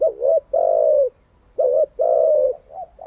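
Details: Close, full-toned cooing of a decoy spotted dove, used to train caught doves daily; two phrases, each a wavering short note followed by a long steady mellow coo.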